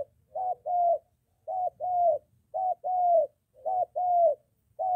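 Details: Spotted dove near home, a molting decoy bird in training encountering a wild male; paired cooing notes, a short hoot then a longer gently falling one, repeated about every second.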